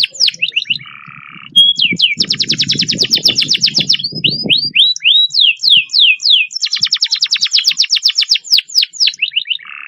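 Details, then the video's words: Canary singing a long, fast roll, used as a tutor recording to coax reluctant canaries into song: rapid repeated high notes in dense trills, a brief lower buzzy phrase, then sweeping slurred notes and more fast rattles, with a faint low rumble early on. "masteran kenari roll speed panjang cocok buwat pancingan kenari susah bunyi"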